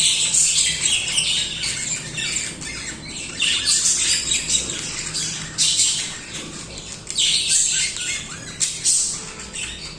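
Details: Many budgies singing continuously, a dense high chatter of chirps, warbles and squawks with louder bursts scattered throughout.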